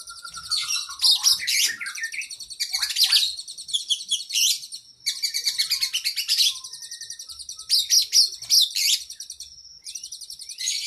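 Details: Energetic oriental magpie-robin training song with long isian: a thin descending whistle, then bursts of fast high trills and chattering alternating with quieter rattling passages, continuing steadily throughout.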